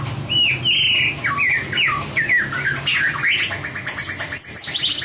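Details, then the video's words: White-rumped shama singing in a competition-style training recording: rich, varied whistled phrases that slide up and down, with quick rising and falling notes, one after another over about five seconds, with a faint low hum beneath. "Luyện giọng chòe lửa - luyện chòe lửa hót đấu (murai batu)"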